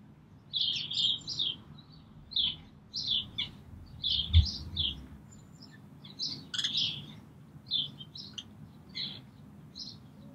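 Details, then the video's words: Brambling calling and singing at Green Moor on 24 March 2019: a busy run of short, bright chirped notes in quick clusters, some doubled, with a low background rumble and one brief thump. "Brambling Calling/singing"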